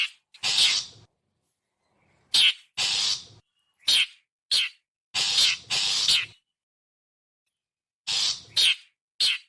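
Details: Long-tailed shrike calling, a recording meant to lure wild birds: grating, noisy screeches in uneven clusters, some short and sharp, some stretched, with a long quiet gap midway.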